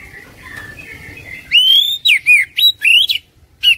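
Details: Oriental magpie-robin song used to coax a caged bird into singing; after a soft warbling start come loud, pure whistles rising and falling in short phrases with brief pauses between them.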